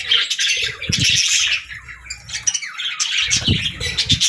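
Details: Budgerigar singing, a busy tangle of chirps, scratchy squawks and warbled notes from many birds, with a few soft low thumps, possibly wing or cage sounds.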